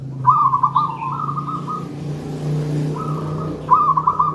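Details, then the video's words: Local zebra dove of gedang rojo style, used as a lure for trapping and as a master song; rippling trilled coos open and close the stretch, with a constant low engine-like rumble underneath. "Perkutut lokal gedang rojo gacor merdu"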